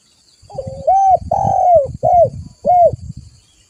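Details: Spotted dove (tekukur) in strong voice, a call used as a lure and tutor recording: rolled introductory note, then a long swelling coo and two shorter rounded coos, with low rumbling noise beneath.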